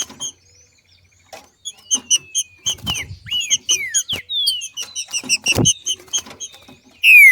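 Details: Female Green-winged Saltator singing like a male ('macheando') in nature, used to spur other saltators to sing: a run of rapid high chips with short falling and arching whistles, ending in a loud downslurred whistle.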